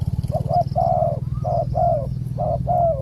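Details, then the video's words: Wild spotted dove with a large coo, heard during a decoy luring session. Three quick cooing phrases in succession, each a short double note followed by a longer, level coo, over a loud steady low droning hum. "นกป่าเสียงคูใหญ่ๆ แต่ไม่รูกี่กุก"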